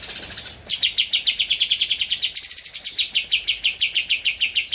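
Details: Javan white-eye singing as a master recording for training cage birds: a fast, high chattering trill of sharp repeated notes, about three per second, with a few brief squeaky phrases breaking in.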